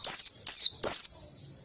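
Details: Oriental white-eye singing in the ngalas style with canary-like bursts: three loud, high, whistled notes, each sliding steeply downward, spaced about 0.4 seconds apart with brief pauses.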